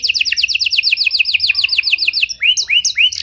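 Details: Panda canary singing a rich cengkok style song meant for baiting and training other canaries: rapid repeated downslurred whistled notes, about three per second, shifting into slower upswept rising chirps.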